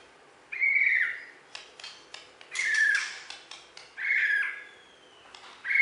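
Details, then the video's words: Bornean white-rumped shama, a contest champion from West Kalimantan, alternates drawn-out slurred whistles with bursts of dry clicking notes, each whistle lasting about half a second. "Video Burung Murai Batu Borneo Juara Di KalBar"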